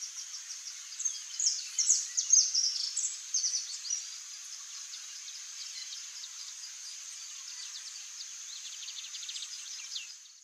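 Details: Canário-da-terra, the saffron finch Sicalis flaveola, swaying in the wind, gives a rapid run of high chirps and twitters over the first four seconds, then fainter, evenly spaced clicks and ticks above a constant hiss.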